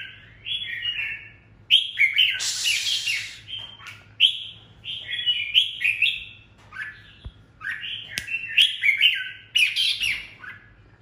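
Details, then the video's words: A red-whiskered bulbul decoy, highly worked up, sings a solo "ché" song described as extremely unusual. Rapid, rich, chattering phrases follow close on one another, broken by brief harsh bursts, over a faint steady hum. "Chào mào mồi căng đét solo ché | ché cực dị"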